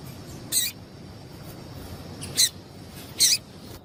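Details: Female double-collared seedeater calling to get a male singing: three short, high, sharp chips spaced about a second apart over constant low hiss.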